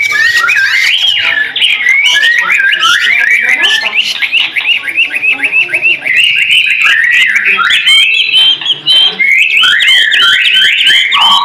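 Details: White-rumped shama singing continuously, offered as a training song for other birds: loud, dense stream of quick slurred whistles and scratchy chatter, almost without break, rising and falling rapidly throughout.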